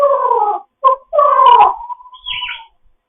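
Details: African grey parrot, a foster bird, talking in the morning: rich harmonic, voice-like phrases sliding downward into a drawn-out tone and a raspy high squeak.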